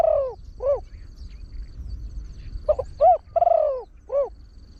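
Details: Trained spotted dove with a big voice, crowing fast to bring wild birds in. Two lone hoots, then a full phrase of short paired hoots, a long falling coo and a final hoot, with a faint steady high whine.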